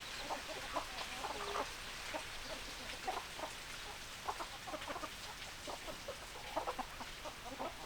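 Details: Domestic hens clucking in a flock, many short broken clucks overlapping in a steady busy chatter throughout, with no single dominant bird.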